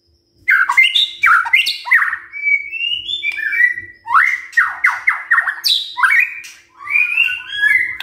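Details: White-rumped shama singing in the morning to stir other birds into song: a continuous, fast stream of varied whistles, rasping notes and quick descending chirps, strong and clear throughout.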